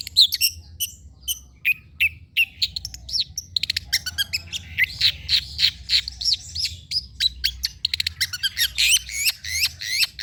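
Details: Long-tailed shrike singing on a training and lure recording meant to get quiet birds to sing: a long, rich run of sharp chips, buzzy upslurred notes and looping whistles, accelerating into dense chatter.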